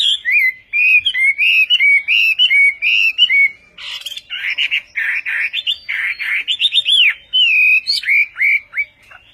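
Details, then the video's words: Song of a Chinese hwamei in Vietnamese style (Họa mi Tây): a string of clear, rounded whistles followed by harsher, burry phrases. The song ends with sweeping, upslurred and downslurred whistles, rapid and varied throughout. "HỌA MI TÂY - TIẾNG HÓT VIỆT"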